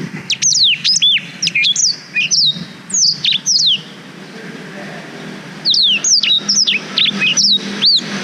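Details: Blackthroat singing for canary training, recorded on a GoPro Hero 5: two bursts of fast, high, sweeping whistles and trills separated by a short silent gap of about one and a half seconds.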